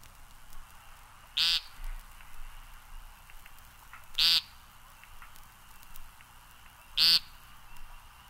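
American Woodcock giving three short, nasal, buzzy peents about every three seconds over a quiet background.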